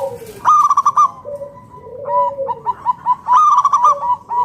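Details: Local Indonesian zebra dove singing as a lure to draw other doves into song: two bursts of rapid, evenly pulsed bubbling coos with a softer, sustained low slurred cooing note between them and a faint steady tone.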